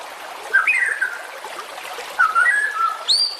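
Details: White-rumped shama singing, meant as a training track for competition birds: two fluty whistled phrases that dip and waver, then a short high upward note, with steady hiss behind.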